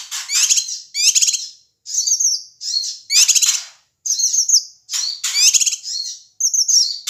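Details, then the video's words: Loud calls of a male Sumatran Ashy tailorbird, played to provoke other birds: repeated high, rattling chatter bursts alternating with sharp whistled slurs, roughly one phrase every second. "suara cucak kinoi ribut AMPUH memancing emosi semua burung"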